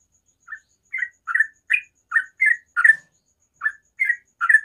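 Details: Ropel-style morning song from a sooty-headed bulbul: after a short silence come about ten clear chirped notes, each slurring up then down, in two quick bursts separated by a brief pause.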